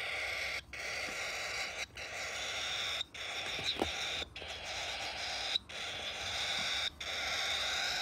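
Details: A hand-fed, motherless cockatiel chick gives a continuous raspy, buzzy begging call, broken by brief pauses about every second; no other sounds.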